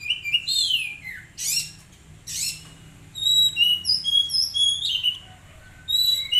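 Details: Untrained caged magpie-robin, kept under daily care, singing varied phrases: descending whistled slurs, harsh buzzy bursts, then a run of short high clear whistles at differing pitches with brief pauses.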